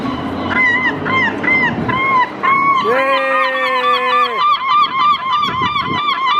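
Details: Two herring gulls tussling over a cigarette butt, outdoors in an urban setting. A run of short, yelping, downslurred calls leads into a long, low, strained honking cry, then rapid overlapping squawks continue to the end.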